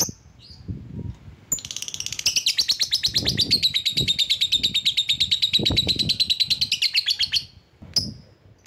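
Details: Lovebird calling to draw rival birds, delivering a long, fast, chattering trill of rapid rattling notes lasting about six seconds, bracketed by short sharp squeaks.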